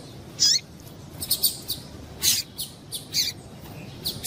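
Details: Female double-collared seedeater call meant to excite males; sharp high chips and short falling peeps come in small irregular bursts, about eight notes in four seconds, with light background hiss.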